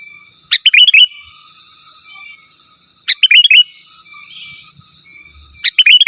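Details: Energetic sooty-headed bulbul song, pure and free of other birds' phrases, meant to lure wild rivals in forest: three quick chortling whistled phrases, each starting with a sharp rising note, repeated roughly every two and a half seconds in quiet.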